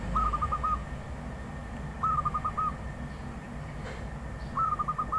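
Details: Wild zebra dove singing: three short, trilled cooing phrases about two seconds apart, each a quick stutter of soft notes, over a steady low hum.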